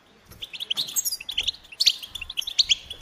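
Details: Goldfinch song in short bursts of bright, liquid chirps and trills, scattered notes building into quick twittering phrases with small gaps between them.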